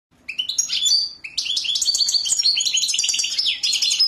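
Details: European goldfinch singing a rapid, busy song of twittering, tinkling notes and buzzy trills, high-pitched and continuous after a brief quiet start.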